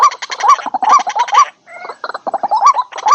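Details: Dense run of rasping, rising croaks from a white-breasted waterhen in a lure recording for wild birds. The notes crowd together and overlap, break off for a moment, then resume.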